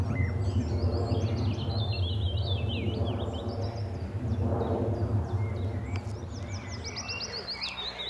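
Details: A male willow warbler sings a soft, sweet song of high notes slipping down the scale from treetop branches by a farm pond, Letchworth, June 2014, returning to the same territory perch repeatedly, over low wind or traffic rumble.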